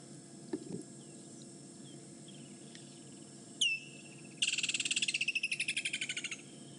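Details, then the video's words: Woodland kingfisher calling near the Djuma waterhole on a December 2016 afternoon, Djuma Game Reserve: one sharp high note, then a loud rapid trill of about twenty notes slowly falling and fading over two seconds, over a soft low rumble. "You can hear the woodland kingfisher's back. He's sitting. Where is he? I can't see him now."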